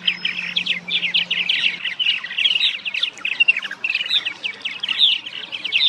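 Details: Several purple martins (Progne subis), a colony-nesting species, singing at nest boxes at Stony Brook Wildlife Sanctuary, Norfolk, Massachusetts: continuous overlapping liquid, gurgling chirps and croaks, with a faint low hum at the start.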